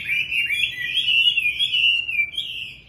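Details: Caged Chinese hwamei kept at home, singing in the morning: a continuous, rich warbled phrase of high whistled notes that slide up and down without a break for three seconds.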